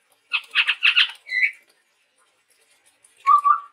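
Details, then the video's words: Male chestnut-rumped babbler of Sumatran forest: four quick harsh stacked chatter notes and a slurred whistle, then after a pause a low rising whistled note. "suara burung tepus tunggir merah gacor"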